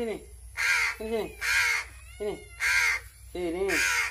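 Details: Being fed by hand, a hungry crow alternates four loud, grating caws with short, lower nasal notes that bend downward, a noisy, insistent begging sequence.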